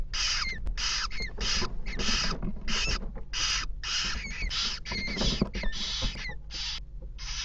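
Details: Begging jackdaw nestlings in a nest box while the father and mother bring food, evening of 3 May 2017: loud rasping bursts repeated about every half second, some with rising squeaky overtones, plus low thumps and scuffling in the box.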